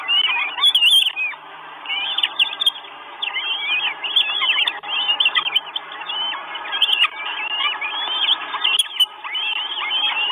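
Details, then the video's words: Four hungry Northern goshawk chicks at a nest in Estonia, filmed by live camera on 1 June 2022: high, curving squeals delivered in bursts and overlapping, with a few brief clicks and a slightly quieter pause near the middle. "4 CHICKS WISH FOOD. NORTHEN GOSHAWK."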